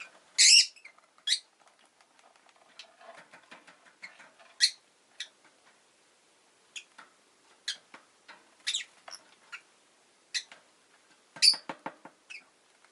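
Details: Shrill, scratchy chirps from a rosy-faced lovebird, starting with a loud harsh burst, then irregular single calls every second or so, mixed with faint ticking and rustling.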